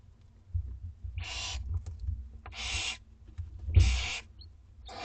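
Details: Two-week-old Barn Owl owlets at dinner time in a school garden, with three quieter rasping hisses over persistent low rumbling and shuffling noise.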